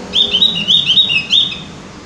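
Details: Opior jawa or cucak gentong pouring out a lively series of high, clipped, chirping notes rising and dipping in quick succession for about one and a half seconds, with a faint low drone behind.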